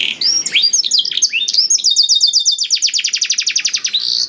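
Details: Canary with blackthroat-style song: jumbled, scratchy warbling notes open the phrase, then a long, even trill of rapid, clipped whistled notes runs to the end.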